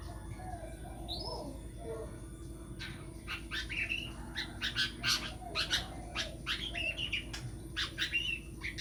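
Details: Long-tailed shrike, billed as a future champion singer, starting with a few soft, faint notes, then breaking into brisk, scratchy chattering and clipped chirps with brief harsh bursts, set against a constant low hum.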